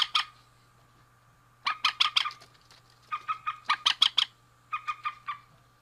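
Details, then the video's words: Male and female rail calling in loud bursts of harsh, clipped notes, each series of five to eight notes separated by pauses of about a second. "Suara Burung Mandar Jantan dan Betina"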